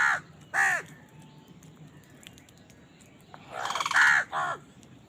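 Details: A feeding house crow, part of a fight over food, gives two harsh caws, then after a pause a longer rattling, buzzy caw and one more short caw.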